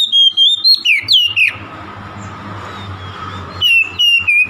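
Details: Oriental magpie-robin song aimed at provoking a rival: a rapid series of clear whistles with down-slurred ends, a two-second gap filled with low rumbling noise, then more short whistled notes.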